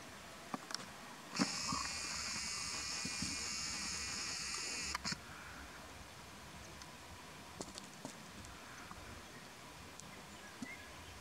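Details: An African silverbill, an exotic species in Valencia where several birds were found breeding at Alborache, gives one sustained, high, rapid buzzy trill of about four seconds, then scattered soft ticks and clicks over quiet hiss.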